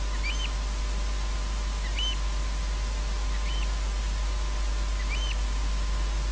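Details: A Eurasian oystercatcher calls nearby after midnight at RSPB Loch Garten, Scotland. It gives four sharp, high piping 'kleep' notes, about one every one and a half seconds, over a steady low rumble of background noise.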